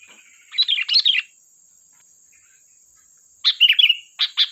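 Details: Sooty-headed bulbul song used as a lure to draw other bulbuls into singing: two bursts of bubbly, chattering phrases, each a quick run of notes falling into a drawn-out whistle, separated by a long pause; a thin steady high tone runs throughout.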